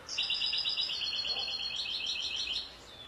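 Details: European goldfinch song: a continuous high, rapid twittering of liquid, tinkling notes run together in one long phrase over faint background hiss.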